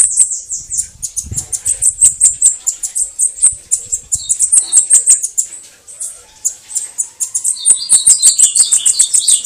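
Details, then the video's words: Bananaquit "canto de foguear" song: a rapid, continuous stream of thin, very high hissing notes, with a few slightly lower twittering phrases near the end. "CANTO DE FOGUEAR SIBITE CAMBACICA CAGA CEBO MARIQUITA"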